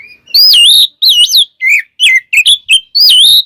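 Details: Oriental magpie-robin (kacer) singing vigorously in a full, filled-in style, used as a lure to excite other magpie-robins: loud clear whistled phrases, sliding up and down, separated by short pauses.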